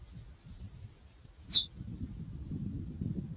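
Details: Female chestnut-bellied seed finch (curió) calling: a single sharp, high, short chip stands out above faint low background rumble.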